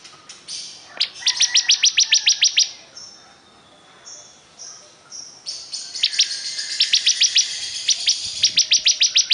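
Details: Bar-winged prinia, known locally as ciblek kristal, singing: fast series of sharp, high ticking notes, about eight to ten in each burst, with buzzy trills between bursts.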